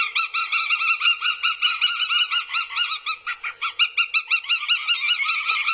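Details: Aggressive Northern goshawk chicks at a nest watched by a live nest camera in Abernethy, Scotland, 2022. Rapid, overlapping harmonic whining calls, slightly down-slurred, run almost without pause at about three per second through the whole stretch.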